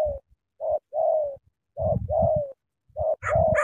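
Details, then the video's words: Spotted dove from Cà Mau cooing vigorously: a short low note followed by a longer, slightly falling coo, repeated in quick pairs, with low thumping noise under some notes. "Sắm thổ quá hăng hàng gù tuyệt vời"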